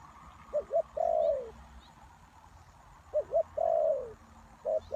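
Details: Decoy spotted dove for luring wild doves, calling in phrases of two short clipped coos then a drawn-out falling croo, about two seconds apart, faint distant bird chirps in the background.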